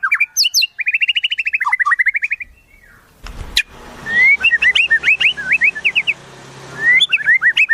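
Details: White-rumped shama song with wild-bird material: an opening fast rolling trill that dips and rises, a pause with a low knock, then a string of short upslurred whistled chirps, each clipped and bright.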